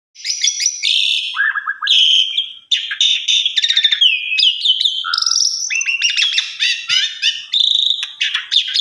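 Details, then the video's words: Asian pied starling song with varied content, offered as a master recording for training other starlings: a dense medley of whistles, rapid buzzy trills, chattering bursts and sliding notes, continuous over nine seconds with brief pauses. "Pancingan Suara Burung Jalak Suren BONGKAR ISIAN Suara Istimewa Cocok Buat Masteran Jalak Lain"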